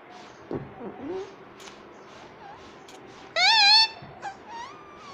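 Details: Ringneck parrot kept as a talking pet: soft rustles and faint murmurs, then one loud, buzzy, harmonic voice-like syllable, followed by a few quieter short notes.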